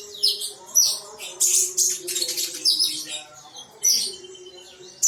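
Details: Energetic caged female sunbird, said to be a keen singer ready for competition, delivers rapid high-pitched chips and twittered phrases roughly every second, over a soft continuous low hum.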